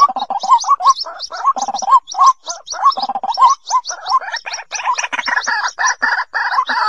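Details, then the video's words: White-breasted waterhen lure sound used for trapping, 2020 season: rapid gurgling croaks with rising inflections, bunched in chattering runs that grow denser and harsher toward the end. "Tiếng Quốc Bẫy. Cuốc chuẩn bao dính mùa 2020"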